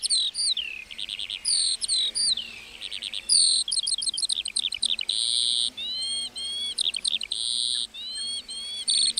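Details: ["From a meadow, a lark's rich high song mixes sliding whistles, rapid buzzy trills and sustained ringing notes, carried on almost continuously for the whole stretch."]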